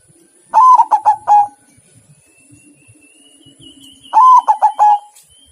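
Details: Two rapid staccato cooing phrases from a white zebra dove, each a quick run of bubbling notes ending in a held coo, about three and a half seconds apart, with faint background murmur between.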